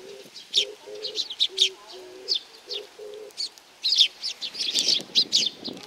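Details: Sparrows coming for food, Tenmangu, Nakanoshima, 7 June 2020. Crisp high chirps grow into a dense chatter near the end. Low pigeon coos repeat early on, and a soft rumble follows.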